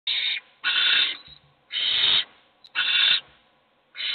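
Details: Hungry owl chicks in a nest box begging for food while only one eats: harsh hissing screeches about half a second long, four bursts with short silent gaps, rasping and breathy.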